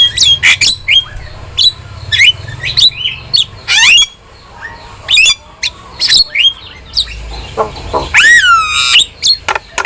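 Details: Vigorously singing starling in a training recording meant to teach pet starlings: a rapid medley of sharp chirps, whistled slurs and rasping notes, ending with a long descending whistled sweep.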